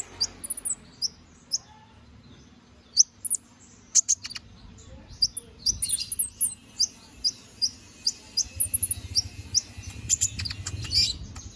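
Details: Canary giving a master song for training magpie-robins, in the lively 'gacor ngobra' manner: sparse high sharp chips at first, quickening into a dense stream of shrill twittering notes with a faint low hum beneath.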